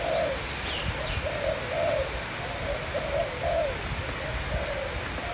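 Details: Sweet song of a kept Malay dove: short, bubbling coo phrases with trilled accents, fairly evenly spaced, and faint high chirps of other birds in the background.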